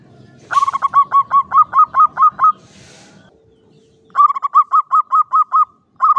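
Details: Caged local Javanese zebra dove in a classic Mataraman cage, singing in the klowongan style: two long runs of about nine fast, clear cooing notes, with a short steady tone and quiet between them.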